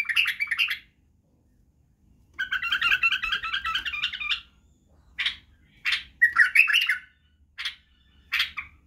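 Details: White-eared bulbul song used to teach young bulbuls to sing, including the birwaz style. Bubbly warbled phrases, then a long rapid chattering run of about two seconds, followed by short separate bursts after brief silences.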